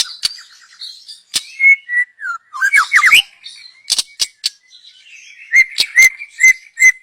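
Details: Young wild white-rumped shama from the forest, recorded for use as a lure: varied song mixing sharp clicks, short rising and falling whistles, and a run of clear whistled notes near the end.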